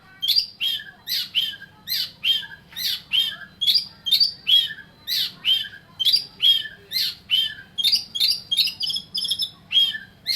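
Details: Oriental magpie-robin singing energetically: a fast run of sharp, high whistled and chattering notes, about one burst a second, all strongly repeated through the whole stretch over a faint low hum.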